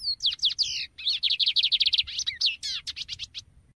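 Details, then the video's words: Lined Seedeater delivering a lively, varied song: swooping slurred whistles, then a fast run of high, buzzy repeated notes and more sweeping notes, over a soft low background hum. "OS 7 CANTOS MAIS BONITOS E MELHORES DO BIGODINHO"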